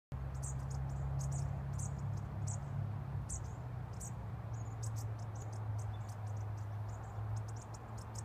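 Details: Several tiny bushtits flitting through blooming trees outside offices give thin, very high, short notes in irregular bursts, over a steady low rumble of wind or distant traffic.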